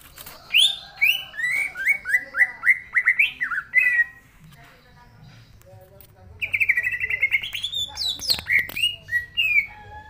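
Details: Green leafbird singing in full voice, a fast series of rising then falling whistled notes, a pause, then a second rapid burst of clear warbled notes ending in a sharp rising squeal.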